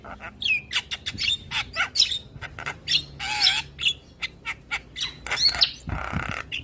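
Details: Morning song of a Javan myna that sets neighbouring mynas answering: a fast run of short harsh scratchy notes, mixed with brief whistles and a low warbled note, ending in a rasping burst.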